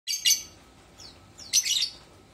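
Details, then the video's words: Lovebird chirping: two bursts of shrill, scratchy chatter about one and a half seconds apart, with faint thin downslurred notes between them. "Kicauan burung lovebird"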